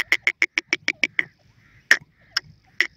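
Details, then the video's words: Iranian partridge, known as teetar: a fast run of eight harsh, clipped notes at steady spacing, then a gap and three louder separate notes spaced about half a second apart. "irani teetar birds hot voice,partridge birds songs"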